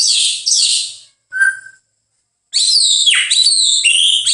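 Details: White-rumped shama singing loud, varied whistled phrases: sweeping high notes, a short pure mid-pitched whistle, a pause, then a tumbling mix of slurred and looping notes.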